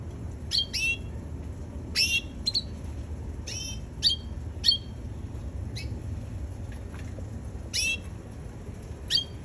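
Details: Young red canary repeating short, bright chirps with sharp downward strokes, a dozen or so notes spread irregularly over nine seconds, above faint room noise.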